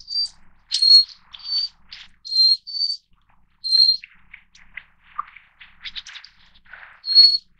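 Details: Little Forktail (Enicurus scouleri fortis, Taiwan endemic subspecies of mountain streams) giving thin, very high, piercing whistled notes, six or so in seven seconds, mixed with softer scratchy, twittering notes.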